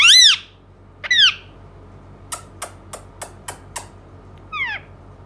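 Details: Indian ringneck parakeet opens with a loud harsh arched squawk and a second shorter one, then six soft sharp clicks at an even pace, ending with a fainter squawk.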